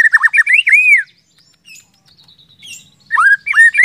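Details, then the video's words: White-rumped shama (murai batu) song meant to trigger other shamas to sing: a quick run of rich, arching whistles, a pause, then another short run of looping notes. "pancingan murai batu agar cepat gacor ngeplong"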